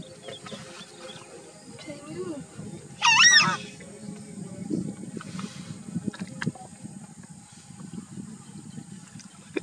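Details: A Southern screamer (Chauna torquata), with its chicks in the Pantanal, Brazil, gives one loud, brassy honk lasting about half a second over a low background rumble and faint voices.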